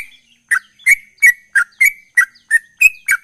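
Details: Sooty-headed bulbul of the ropel type, a kept songbird singing persistently; short sharp chirped notes with a bright ringing edge, repeated about every third of a second in a steady run, with no other sounds.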